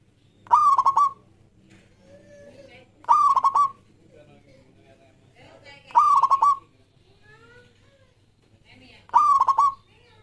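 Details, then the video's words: Zebra Dove of a local strain singing vigorously, used to prompt other doves: four rolling, broken coo phrases about three seconds apart. Softer, lower murmuring notes sit between them, over a faint hum. "Perkutut Lokal Gacor Suara Yang Pas Buat Pancingan"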